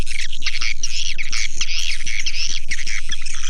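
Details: Lure call to attract swiftlets. A dense chorus of chattering, buzzy twitters fills the clip, with occasional sharp squeaks, all riding on a constant low pulsing beat repeated four times per second.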